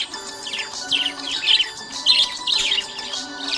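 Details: Budgie chirping happily: repeated bursts of high, rasping twitter, roughly two a second, over faint steady tones.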